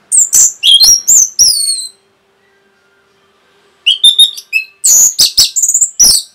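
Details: Kept Orange-headed thrush in fast 'rapet' song meant to provoke other birds: a run of shrill slurred notes and twittering, a two-second quiet gap, then another rapid cascade of piercing high notes and short whistles.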